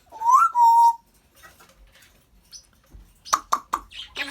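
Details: African grey parrot kept as a pet, whistling a loud rising note that levels into a steady tone, followed by a quick run of sharp clicks and rasping bursts.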